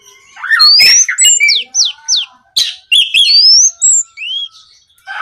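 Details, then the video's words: Night recording of Oriental magpie-robin gacor ngeplong song, used to get other magpie-robins singing. Clear rising whistles alternate with quick down-slurred notes and rasping bursts, delivered in lively, uneven phrases. "SUARA BURUNG KACER GACOR NGEPLONG"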